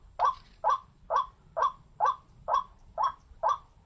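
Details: White-breasted waterhen calling a harsh, nasal croak repeated steadily about twice a second, eight evenly spaced notes over a quiet low hum.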